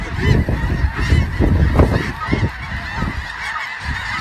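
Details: Snow geese in a dense flock, a continuous chorus of overlapping honking and yelping calls, many birds at once, with heavy low rumbling noise underneath, possibly wind or handling.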